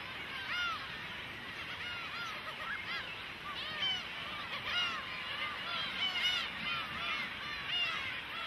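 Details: Young cormorants pestering their parents for food; steady crowd of high, bent squealing notes repeated roughly once a second by various birds, overlapping into a restless chorus.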